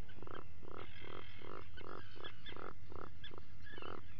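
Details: Atlantic puffin at its burrow at 04:58 on 28 June 2019, around breakfast, giving a low, groaning call in about eleven even pulses, roughly three per second, over a steady low rumble.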